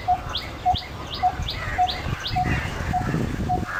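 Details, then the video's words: Hollow, knocking single notes of a coppersmith barbet repeating regularly, roughly every half second, while another bird gives quick upward-sliding chirps and low rumbling noise runs underneath. "Call of Coppersmith barbet"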